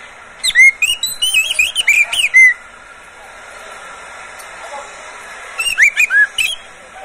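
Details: Caged Oriental magpie-robin singing as a lure for other birds: a two-second string of fluid whistled notes and chirps, a long pause, then a shorter burst of sweeping whistles.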